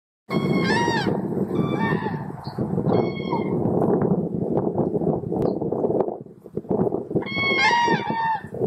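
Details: Common crane giving very loud ringing, trumpeting calls, each a slightly falling, rich harmonic note in clustered bursts at the start and again near the end, over a strong low rumble of wind or handling noise.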